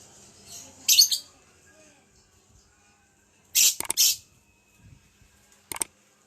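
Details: Caged lovebird, back to health after a cold, tested for eagerness to call: three short shrill bursts of high chirping spaced a few seconds apart, with quiet gaps and faint low background noise between them.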